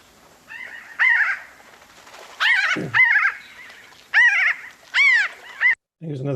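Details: A noisy flock of Pinyon Jays, birds that travel in big flocks in arid pinyon pine country, give nasal, arched, mewing calls in short bursts about once a second, overlapping; a man's voice begins at the end.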